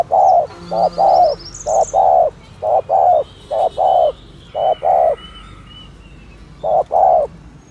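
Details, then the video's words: Spotted dove cooing in the thổ thúc gù manner for luring doves: a series of low paired coos, short then longer, in a regular rhythm, with a pause near the end and faint chirps of small birds above. "tiếng chim cu gáy chuẩn thổ thúc gù trang bị cho anh em thợ nhử"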